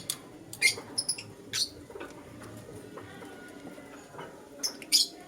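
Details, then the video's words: Lutino lovebird heard in the morning, giving bright, sharp chirps in small clusters at the beginning and again near the end, with quieter background chatter between. "Lutino LoveBird Chirping Sounds"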